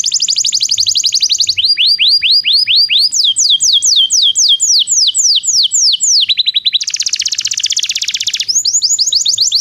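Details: Belgian canary singing, a recording meant to train non-singing canaries: a continuous high song of repeated downslurred whistles in tours at several pitches, changing to a dense rapid rattle, then back to slurred whistles.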